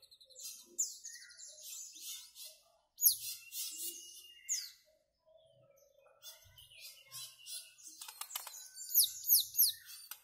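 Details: White-rumped shama singing a quiet, varied string of high, thin chirps and twittering notes with short pauses, including a silent gap near the middle before a burst of sharp, rising notes.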